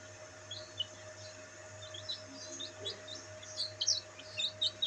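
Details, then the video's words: Black bantam chicks in the sun peep sparsely at first, then the short high chirps grow louder and more frequent toward the end, over a low background hum. "Bantam Chicks Enjoying sunlight |Black Bantam Chicks |Chicks Chirping Sound"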